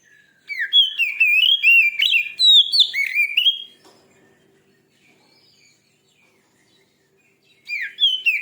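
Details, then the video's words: Song of a white-rumped shama meant to provoke a listener's bird: three seconds of loud, rapid whistled and warbled phrases with sharp clicks, a long near-silent gap, then the song resumes. "Suara burung kacer terganas.sangat ampuh cepat bikin emosi Kacer anda.!"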